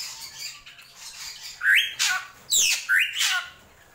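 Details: Drongo krantil gentolang song: two paired phrases, each a rising slurred note next to a harsh noisy burst, following a quieter, hissy opening.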